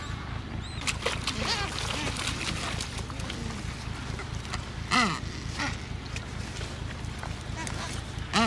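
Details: Adélie penguin colony on Paulet Island, Antarctica, 1 February 2019, home to about 150,000 breeding pairs: separate nasal, arching calls stand out every second or two, some loud and close, over a soft low hum.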